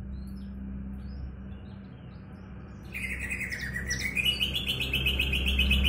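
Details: Javan bush lark kept in a cage and set out in the sun, starting to sing: after near silence a bright buzzy trill begins and climbs in pitch over a steady low hum.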